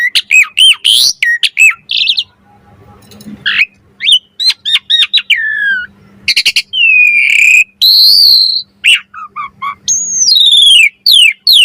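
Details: An Asian pied starling delivers its varied 'mompa' song, a training and lure recording: shrill clipped whistles and chips, a pause with faint background hum, then long bright slurred whistles and rapid squeaks.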